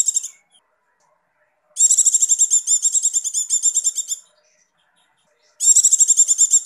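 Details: A female Javan white-eye in breeding condition, used as a lure to stimulate males, gives bursts of fast, high, thin chattering notes, about fifteen per two-second run, separated by silent gaps.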